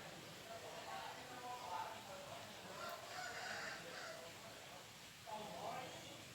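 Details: Red junglefowl crowing: hoarse, mid-pitched crow phrases arrive in separate bursts, one near two seconds, a longer one around three to four seconds and another late, over steady background hiss.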